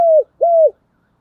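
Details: Spotted dove decoy bird giving urging and calling coos meant to lure wild doves; two low, hollow coo notes, each steady then dropping at the end, separated by a short pause in an otherwise quiet setting.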